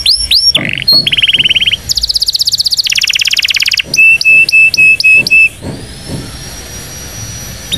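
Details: Indonesian canary singing a powerful training song for young canaries: swooping notes, a fast low trill, a long rapid high trill, then evenly spaced sharp chips about twice a second before fading to faint whistles.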